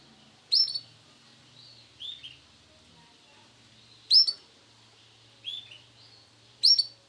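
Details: Male canary, Sunkist colour variety, giving five well-spaced high chirps, three of them sharp, loud and piercing, the other two softer and lower, over a quiet background with a faint low hum.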